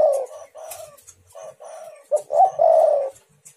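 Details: Spotted dove cooing to prompt rival doves: softer opening coos, then a louder phrase of two short notes and a long, hoarse, gently falling coo.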